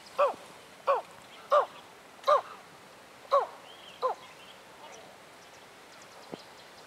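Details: Tawny eagle calling in Kruger National Park, South Africa: six hoarse, bark-like notes in quick succession, each sliding downward, then the series stops, leaving faint background sounds and a single soft click.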